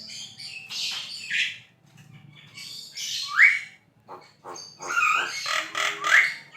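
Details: An actively singing Javan myna, recorded as tutor song for cage birds: scattered harsh, rasping bursts and sharp rising squeals with short gaps, over a low background hum.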